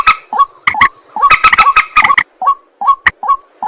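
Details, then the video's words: A white-breasted waterhen at night gives a rapid run of harsh, croaking notes, then fades into spaced single nasal calls. "ruak ruak mandar batu mp3 2 suara burung malam hari"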